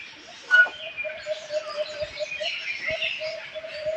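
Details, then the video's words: Birds chirping: a soft, distant chorus of high twittering notes, over a steady run of low, even pulses repeated several times a second. "Birds Chirping Sound"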